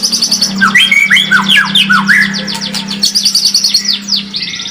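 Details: White-rumped shama lure song meant to make other birds more combative: rich, varied whistled phrases, sweeping and slurred notes tumbling quickly over a steady low hum.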